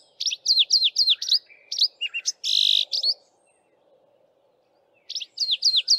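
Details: A male Streaky-headed Seedeater sings from the top of a bush in the dawn chorus, while females build nests: a fast run of high, slurred chirps and a buzzy trill, pauses, then resumes; a faint low hum underneath.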